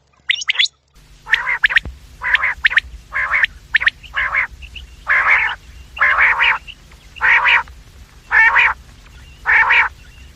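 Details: Quails calling in the morning and evening for trapping lures: after a brief gap, a regular series of harsh, nasal rasping notes about one a second, louder toward the end.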